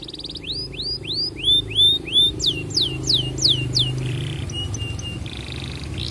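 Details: Canary courting a female, a lure for other canaries: a string of rising hooked whistles, then faster falling slurs, ending in flat buzzy notes; a low droning hum runs underneath.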